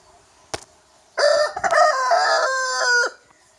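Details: A young rooster gives one long crow of about two seconds, hoarse and stepped, then a drawn-out, strained final note; a sharp click sounds before it.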